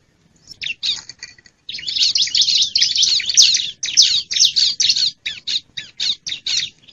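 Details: Bar-winged prinia call used to lure wild birds: a sustained burst of harsh, buzzy chattering, then a series of sharp, scratchy chirps repeated in quick succession.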